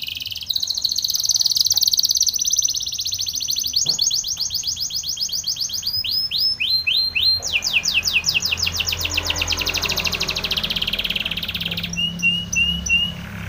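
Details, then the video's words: Spanish Timbrado canary song for training, mixing long rolling high trills with runs of quick descending whistled slurs, changing pace and pitch across the phrase, ending in short chirped notes. "Spanish Timbrado canary song for training"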